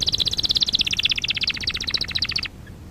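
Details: Canary song used for canary training: a fast run of repeated high chirped notes, about twelve per second, holding steady then dropping slightly in pitch before stopping abruptly after two and a half seconds, leaving quiet.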